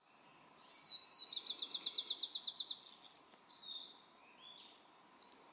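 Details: Blue-and-white flycatcher singing on Mount Maya on 23 June 2017, found in a dim valley along the Aotani path; clear high whistled notes, then a rapid trill of about twelve repeated notes, followed by softer falling and rising phrases.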